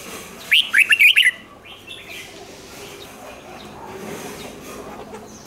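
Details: Red-whiskered bulbul giving a 'rik' song played for caged birds: one brisk run of five sharp, whistled notes at the start, then low background hiss.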